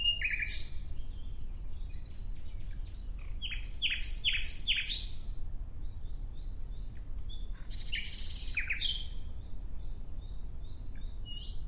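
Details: Nightingale song in varied short phrases: sharp clicking notes, a run of quick descending chirps, a pause, then another loud chattering burst, with faint high notes from other birds between phrases over a low rumble.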